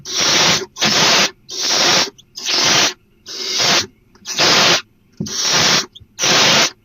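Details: Barn owls at the nest at night, dated 4/3/12, receiving the first food delivery of the night, a headless prey item that looks like an opossum. Harsh, broadband hissing screeches, each about half a second long, repeat roughly eight times in seven seconds.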